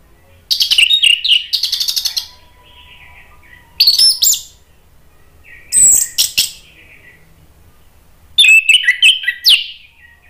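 Orange-headed thrush singing rich, varied warbled phrases with fast chattering trills, delivered in four bursts separated by pauses of one to two seconds.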